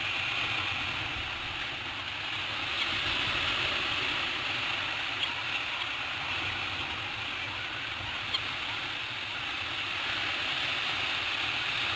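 Only a steady, broad rushing hiss like wind or distant surf, with no animal calls heard.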